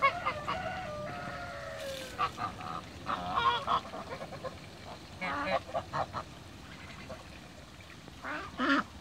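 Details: Mature and young Toulouse geese swimming in a backyard: a drawn-out downslurred honk opens, then bursts of short, harsh honks from several birds, ending in a loud double honk.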